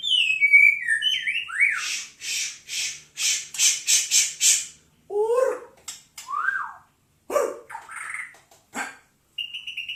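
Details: Oriental magpie-robin in full song: sliding whistles falling then rising, a fast run of loud rasping bursts about four per second, then varied whistled notes, harsh chips and a steady high whistle at the end.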